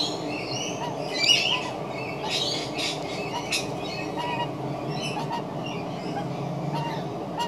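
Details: An adult magpie making strange sounds gives a run of odd squawks, harsh rasps and short chattering notes in quick, irregular bursts, over a steady low background hum.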